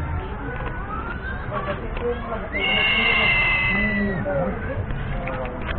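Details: Crested serpent eagle calling: one long, high, ringing whistle lasting about a second and a half and sliding slightly down, over a busy, noisy background.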